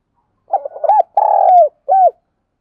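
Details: Caged spotted dove used as a decoy bird, calling in the thổ pha thúc style to lure and provoke wild doves: a rapid run of short coos followed by a long drawn coo and one shorter coo.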